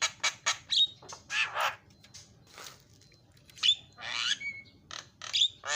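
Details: Javan myna song to get mynas calling: rough squawking notes and brief whistles, a quieter gap, then harsh downslurred rasps and a couple of sharp whistled accents.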